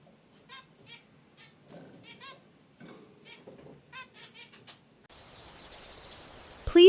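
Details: Caged zebra finches relaxing beside their wicker basket nest give short nasal honks and chirps. Roughly a dozen calls come in loose bursts over five seconds, with soft rustling. A steady hiss follows, then a sharp click at the end.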